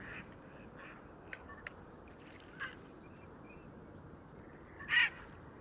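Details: Grey Herons gathering at nests in a heronry in February, shouting to set the rules before nesting begins: a few faint clicks and short notes, then one loud harsh squawk near the end over quiet background.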